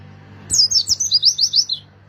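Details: A single tight phrase of Oriental white-eye song, used to lure wild birds, made of about eight quick, very high, buzzy chirps sliding downward in close succession.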